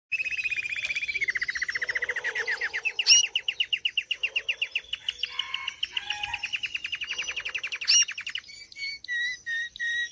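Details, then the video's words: Belgian canaries, a breeding pair of agate pastel colouring, with a rich, varied song: a sustained whistled note, then long rolling trills of rapid, evenly repeated notes at shifting pitches, ending in sharper separate chirps. "CASAL DE CANÁRIOS BELGAS ÁGATA PASTEL!"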